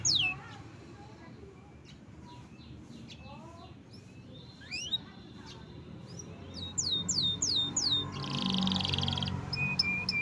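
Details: Canary kept in Indonesia singing scattered upward and downward sweeping whistles, then a quick series of falling notes, with background noise and a burst of rustling.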